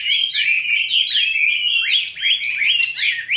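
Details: Chinese hwamei kept in a cage, raised from a young bird and now five years on. It sings a loud string of clear whistled notes, with sharp upslurs and downslurred trills following each other rapidly.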